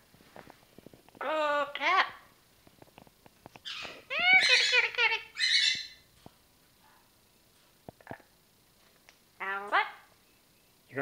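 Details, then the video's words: A 10-year-old female Amazon parrot talking and singing indoors: short, voice-like phrases with harmonic, rising and falling tones, several bursts separated by pauses. "Parrot Mookie talking & singing"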